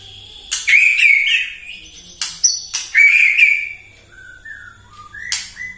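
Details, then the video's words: White-rumped shama in morning song meant to provoke rivals: clear sliding whistles broken by hard clicks, then softer, lower, drawn-out whistled notes near the end. "PAGI-PAGI MURAI AUTO EMOSI MENDENGAR PANCINGAN INI❗ GACOR FULL"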